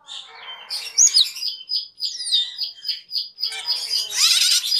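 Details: Cucak keling (black-winged myna), a cage bird, recorded as a master song for training other cage birds; a busy mix of harsh chatter, squeaky whistles and rapid chirps, ending in a loud raspy burst.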